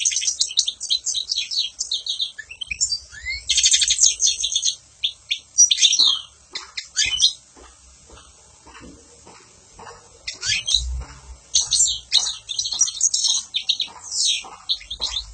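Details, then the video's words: Goldfinch song in bursts of fast, bright twittering and buzzy chirps, broken by short pauses and a quieter stretch of scattered clicks before the lively warbling resumes. "تغريد طائر الحسون عالمي"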